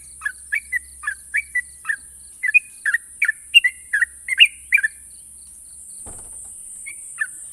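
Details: Sooty-headed bulbul, a national champion, in long sharp trilling song: a fast series of bright falling chirps for five seconds, a brief low thump, then a few scattered notes; faint hum and hiss.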